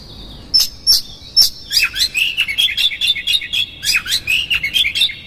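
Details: Provoking lure of an Oriental magpie-robin: several separate high piping notes, then an accelerating chatter of rapid varied whistles and trills, sustained to the end.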